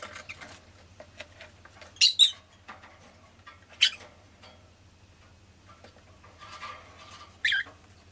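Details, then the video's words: Rosy-faced lovebird letting out three loud, shrill, grating chirps, the first a quick double note, amid soft rustling, tapping and clicking sounds and a steady low hum. "Lovebird Chirping Sounds"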